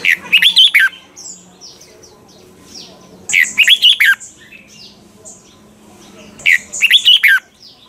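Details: Red-whiskered bulbul kept in a cage to tutor other birds, giving a mature wild-style double-note song: three bursts of quick, warbled whistled phrases about three seconds apart, with a low steady hum and faint soft chirps between.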